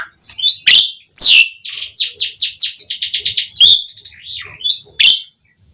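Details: Asian pied starling in continuous song, used to prompt other starlings to sing: harsh rasping notes, downward-sweeping whistles, and a fast run of repeated chattering notes ending in a wavering whistle.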